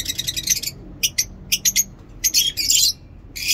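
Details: In a mini zoo, lovebirds produce rapid stuttering high squeaks, then a few isolated sharp chips, then a dense grating burst of chatter before falling briefly quiet.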